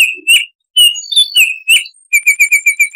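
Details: Baltimore oriole song with a wild, forest-like quality: full, rounded whistled notes, some rising or sliding, in an irregular phrase. It ends with a fast, even string of about eight short, identical whistles. Clean and quiet in the background.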